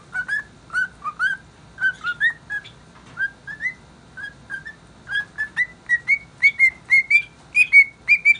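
A cockatiel whistles a cheerful tune of short, bright rising notes, about two a second, climbing gradually higher in pitch as the phrase goes on.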